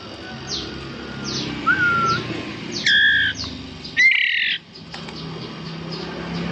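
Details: Captive White-rumped Shama chicks, about 11 days old, several in number and possibly all males, hand-fed indoors: a few short harsh squawks and a thin rising squeak among faint background hiss.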